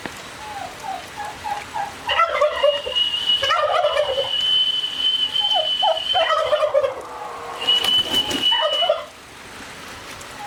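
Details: Turkeys: bubbling gobbles and short low yelps, overlaid by a long steady high whistle-like tone lasting several seconds, ending with a brief burst of noise.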